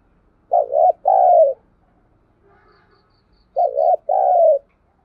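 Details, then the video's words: Before-dawn calling of a spotted dove, in the urging style used to set captive newcomers cooing: two hollow phrases two seconds apart, each a wavering double coo followed by a longer descending one, over near silence. "Tiếng chim cu gáy thúc gù và gáy gọi lúc tờ mờ sáng"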